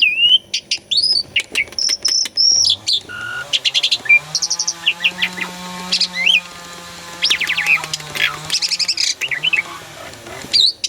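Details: Song of an Asian pied starling, recorded as a lure to stir silent kept birds: scattered whistles, sharp chips and buzzy phrases over a steady low humming drone.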